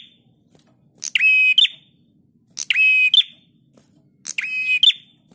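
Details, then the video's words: Prinia singing energetically as a master recording for cage birds: three loud phrases about 1.6 seconds apart. Each is a harsh, steady buzz bracketed by sharp notes and ending in a higher flick. "Masteran Prenjak Tamu GACOR"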